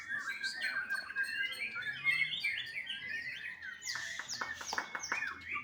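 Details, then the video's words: A juvenile captive white-rumped shama from Bali runs through varied whistles and chirps, ending in a burst of sharp, clipped, percussive notes. "MURAI BATU MUDA"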